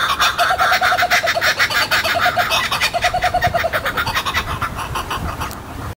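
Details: Laughing kookaburras near Sydney, Australia, a territorial family chorus heard most often at dawn and dusk: loud, continuous rapid hooting and cackling about three notes per second, rising and falling in bursts until it breaks off.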